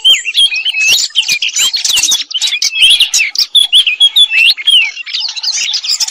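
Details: Robin song of fast, high warbling phrases with sliding whistles and twittering notes, closely packed and varied throughout.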